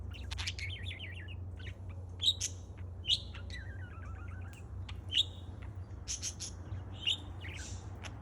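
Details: On July 4 a parrot chirps while playing, mixing quick wavering warbles with loud sharp peeps that come every second or two, low hum underneath.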